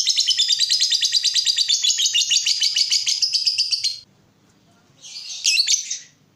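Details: Lovebird singing a gacor song for use as a masteran lure: rapid repeated high chirps about three per second for four seconds, a pause, then a short burst of shrill chatter.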